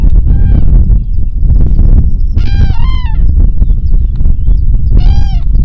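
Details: Cranes on a high plateau, calling in the open: loud, trumpeting calls with rich harmonics, some rising then falling and given in short clusters, over strong roaring wind.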